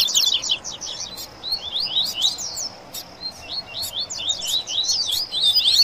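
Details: Seedeaters (Coleiro and Papa-capim) sing heatedly over one another in a busy jumble of high, sharp chirps and quick rising slurred notes, with little pause between phrases.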